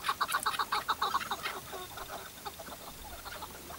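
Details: Chukar partridge tethered as a decoy during a partridge hunt, giving a fast run of sharp clucking notes about four per second, loud at first and then fading into softer, scattered chucks.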